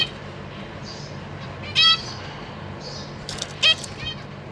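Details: Zebra finch pair with young in a cage, spring 2023, fledglings exploring and practising flight; mostly quiet background broken by two short nasal harmonic calls, about two seconds apart.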